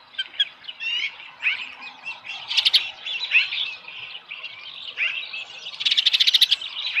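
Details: Osprey at its ranch nest holding a small live fish, 13 July 2018, early morning; loose, squeaky chirps and slurred whistles end in a quick stuttering chirp series.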